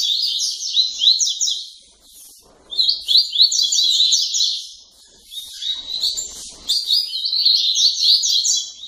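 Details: Late-night tui-tui song of a captive double-collared seedeater from a Santa Catarina breeder: fast high warbled phrases of slurred chirps, in three bursts broken by short quieter gaps, with faint background rustling.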